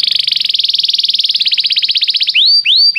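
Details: Belgian canary delivering a very rapid rattling trill of tight repeated notes, then switching to three loud upward-swooping whistles.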